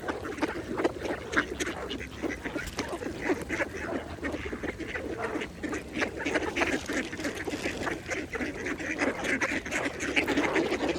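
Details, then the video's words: Mallard ducks dabbling at a pond, with a rapid, uneven series of clipped nasal quacks over steady splashing and rippling water. "Ducks Feeding at the Pond | Mallards"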